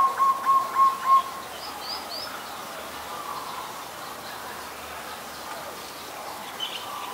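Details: An adult zebra dove in Ubon Ratchathani, Thailand, on 28 December 2020 gives four quick, soft cooing notes in a little over a second, then falls silent over faint distant chirps and background hiss.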